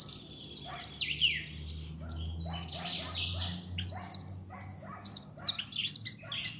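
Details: Song of a 'pintón' goldfinch: bright, rapid twittering, repeated thin whistles and scratchy buzzy bursts in quick succession, with a faint low hum in the background.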